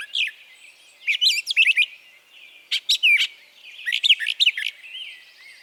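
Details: Brown Thrasher singing in Harvey County, Kansas, where it arrives each spring. Its song repeats phrases once, twice or three times and includes mimicry; a white-eyed vireo call is among them. Bursts of clear, varied, slurred whistles and chirps come in groups with short pauses.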